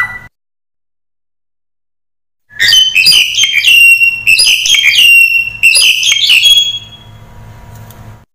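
Crested myna in a four-second burst of varied song: bright whistles mixed with squeaky, scratchy notes, delivered fast and jumbled, then fading out.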